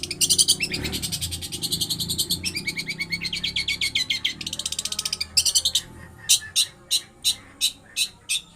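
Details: Pentet (long-tailed shrike) imitating lovebird: fast, high, buzzy trilling chatter for several seconds, then slower separate sharp chirps about twice a second.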